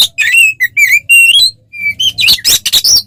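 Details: Oriental magpie-robin (kacer) fighting song meant to provoke rivals; a series of clear slurred whistles with rich overtones, a short gap, then dense harsh rasping bursts.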